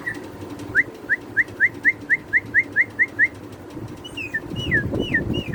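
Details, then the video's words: White-rumped shama song used as a tutor recording for training other birds: a run of ten identical short upslurred whistles about every quarter second, then higher varied whistled phrases over a steady low background hum. "Masteran Burung muari Batu"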